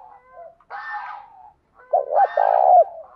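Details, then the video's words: A decoy spotted dove with a fine coo, used to provoke other doves. A rougher harmonic call precedes a loud two-note start and a long, low, vibrating coo. "Chim cu gáy mồi có giọng gáy hay và bài bản, kích bổi nhanh nổi và gáy nhanh"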